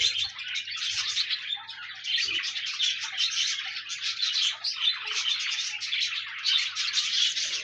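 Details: Budgerigar song meant to keep a lonely pet budgie company and prompt it to sing: busy, unbroken twittering made of quick high chirps and scratchy warbles, with a faint low hum underneath.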